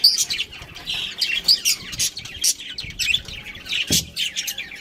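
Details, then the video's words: Breeding pair of pet budgerigars chirping: dense, busy high-pitched chatter of scratchy warbles and short sharp tweets, overlapping almost continuously, with faint rustling below. "Cute Budgies Chirping Sounds"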